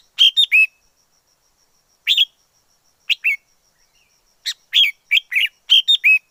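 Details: Wild red-whiskered bulbul in song, delivering quick clusters of clear whistled, slurred notes, some phrases of three rapid notes, spaced by gaps of about a second, against a quiet background with a faint constant high hum.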